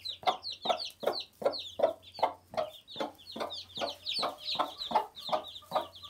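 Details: Dense chorus of high, slurred peeps from newly hatched chickens, a day old, overlapping constantly while muffled broad bursts repeat at a fairly even pace, about two to three per second, over a low hum.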